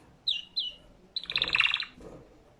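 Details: Canary singing: two quick high whistled notes that slide downward, followed by a rapid, buzzy, evenly pulsed trill lasting under a second, then a softer low tail in a quiet room.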